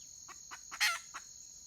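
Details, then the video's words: Red junglefowl hen recorded in the wild on 31 May 2023, one short harsh rasping call flanked by a few soft clucks, steady insect drone in the background. "Suab poj qaib qus tsauj"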